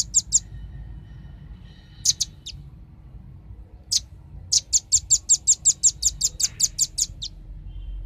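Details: Velvet-fronted nuthatch (Sitta frontalis) song used as a lure recording: sharp, very high chips, a few scattered pairs, then a fast, even run of about a dozen notes over a faint low hum.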